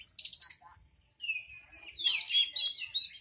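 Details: Caged Horsfield's bush lark, the "hitam putih" kind, gives a short burst of rattling high chips, then a thin level whistle and a lively run of twittering, rising and falling notes.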